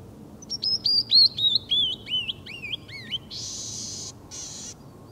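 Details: Canyon wren wintering at Rattlesnake Bluffs around 25 January 2013, its furthest-north record, sings a cascade of about ten clear whistled notes stepping down in pitch, then two harsh buzzy notes.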